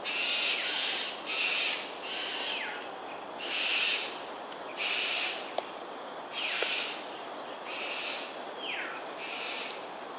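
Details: Aerial display by cockatoos at Sungei Ulu Pandan, Singapore, morning of 13 January 2022, 7.43am. Rough grating shrieks in uneven bursts, roughly eight in ten seconds, with a couple of downward-sliding notes and a background insect drone.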